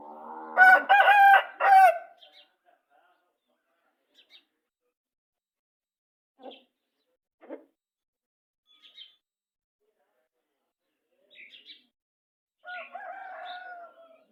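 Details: Brown Aseel rooster crowing: a loud, harsh, harmonic crow lasting about two seconds, then scattered soft clucks and clicks, and a second hoarser crow beginning near the end.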